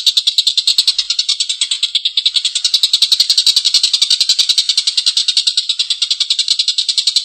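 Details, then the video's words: Drawn-out coarse laughter of a collared kingfisher: a steady rapid stream of harsh, high, clipped notes, loud and continuous throughout. "Suara tengkek buto||masteran burung gacor ngekek panjang suara kasar"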